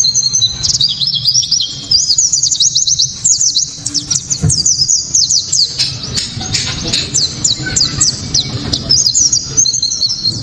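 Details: Loud, clear white-eye song used as a lure to set other white-eyes singing and for tutoring songbirds: a continuous stream of high, sharp chattering twitters, with brief pauses, over faint low hum.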